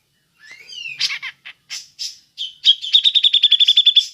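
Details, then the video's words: Grey-cheeked bulbul, ngepik call for luring other birds: soft rising whistles and rough chatter build into a fast, steady string of sharp high 'pik' notes. "Burung cucak jenggot ngepik cocok untuk pancingan"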